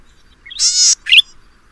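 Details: Golden-headed cisticola (Cisticola exilis), Taiwan endemic subspecies, Pingtung County, Taiwan, 2015, a species of lowland grassland, marsh and scrub: one long, harsh buzz then a brief scratchy, squeaky note, in an otherwise quiet setting.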